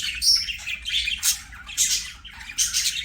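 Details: Budgies sing during play with short bursts of scratchy warbling, each lasting under a second, broken by brief pauses, plus a few high squeaky notes.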